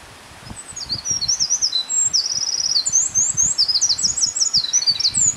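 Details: Eurasian wren song: a loud, very high, fast stream of twittering notes and dry rattled trills lasting several seconds, over soft background rustle.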